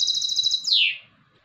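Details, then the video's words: A hybrid goldfinch gives a short, rapid high trill, then a loud downward-sliding slurred note that fades into quiet. "UN RATITO DE CANTO DE MIXTO DEL JILGUERO ** تغريد هجين الحسون"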